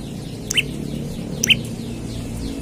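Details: Olive-backed tailorbird singing vigorously while seeking a rival, as a lure or tutor recording: two bright, sharply rising chips about a second apart, with a faint echo and low background hum.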